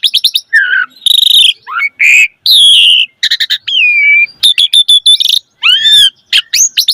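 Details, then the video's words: Varied gacor mompa song from a Javan pied starling, used as a tutor for young birds. It combines stuttered chirp bursts, long buzzy whistles, a falling slurred note and bright upswept whistles. "Pancingan Jalak Suren Gacor Mompa Masteran Burung Jalak Muda Cepat Bunyi Gacor Full Isian Mewah"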